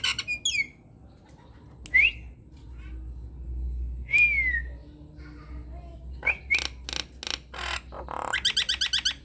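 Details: Unedited Nias hill myna lure song for prompting other mynas to sing: separate rising and falling whistles with sharp clicks between them, ending in a fast, even trill of repeated notes.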